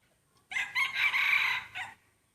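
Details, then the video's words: One loud, bright rooster crow from a contest of main breeding cocks, about a second and a half long, harsh and even, with a brief dip before a short final note, in an otherwise quiet setting. "Tso qaib sib khav thiab mloog suab qaib qua ua si ประชันเสียงขันพ่อพันธุ์หลักครั้งแรกเสียงขันดีมากๆ"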